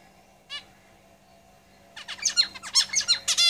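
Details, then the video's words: Zebra finches in a cage: one short nasal call, a second and a half of quiet, then a rapid string of buzzy, harmonic song notes closing on a drawn-out buzz. "Zebra Finches Singing in the cage"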